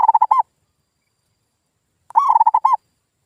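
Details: Zebra dove lure sound meant to get silent local birds calling again: a brief stuttered coo phrase, a pause of about two seconds, then a fuller rapid series of cooing notes ending with a longer note.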